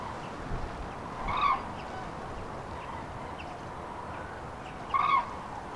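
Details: Migrating common cranes, spring passage over central France, 5 March 2016; two distinct bugling calls about four seconds apart, each short and rolling, over a quiet, hissy background.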